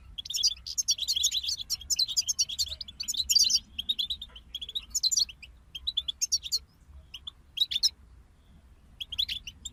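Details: Goldfinch group song: dense, high, jangling twittering for the first few seconds, then scattered shorter bursts and single sharp chirps spaced by gaps over a soft low hum.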